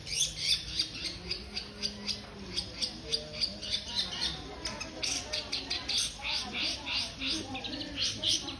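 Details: Long-tailed shrike giving a rapid, chattering string of harsh scratchy notes and clipped chips, dense and uneven, with brief sharper accents.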